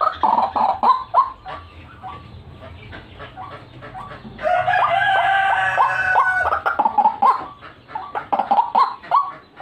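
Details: White-breasted waterhen gacoran call for luring birds: rhythmic hoarse croaking at roughly four notes a second, with a two-second stretch of loud raspy continuous calling in the middle.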